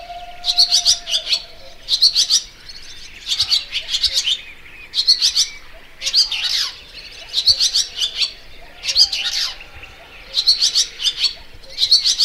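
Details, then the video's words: Barn swallow, called Layang2 Asia: bright high chirpy twitter in short clustered bursts about every second, each a quick run of sharp notes, with a faint low hum underneath. "Layang2 Asia"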